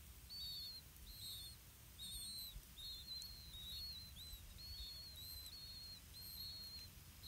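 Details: Blue-winged pitta nest, parents feeding chicks earthworms: a run of thin, high whistled notes, some paired or slightly dipping, repeating about once a second over soft low rumble.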